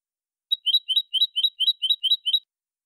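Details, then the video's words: European goldfinch, clean 2020 song: a steady run of about nine doubled chirping notes, bright and metallic, delivered evenly over two seconds against silence. "CD jilguero limpio 2020"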